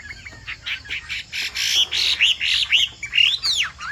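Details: Loud, ringing song of a Chinese hwamei (Hoạ Mi Bộ Tam Hoàng): a string of rich, arched whistled notes, several per second, ending in a long downward slur.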